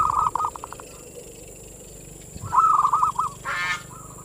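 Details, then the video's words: Zebra dove, locally perkutut, singing manggung as a lure for other doves: clipped coo notes at the start, a rolling stuttered phrase midway, then a brief harsh buzzy burst over low rumbling background noise. "the sound of the turtle dove is a mental lure,suara perkutut pancingan mental birahi"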